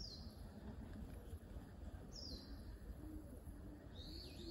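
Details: Kingfisher along the Zenpukuji River, recorded by smartphone with a telephoto lens attachment: three sharp, high whistled notes that each slide downward, the last one longer and wavering, set against a constant low hum.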